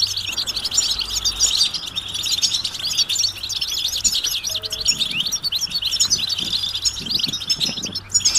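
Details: European goldfinches chattering in a group, mating calls meant to get males singing; busy stream of sharp, upward-flicking high chirps and twitters overlapping for the entire stretch, over a low hum.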